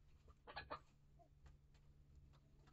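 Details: Chickens in a coop and run shared by year-old hens and integrated chicks hatched in August 2023; a brief cluster of harsh, broadband clucks near the start, then scattered faint sounds over a constant low electrical hum.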